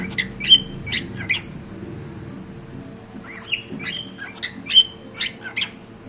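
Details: Cockatiel kept as a pet indoors giving scattered sharp chirps and short squawky notes in two bursts separated by a quiet pause, over a constant low room hum.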